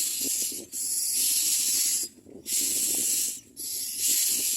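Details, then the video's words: Very hungry Common Myna birds at a nest give loud, continuous hissing begging rasps in long bursts, broken by brief gaps, with low rustling underneath. "The Common Myna birds in the background are very hungry."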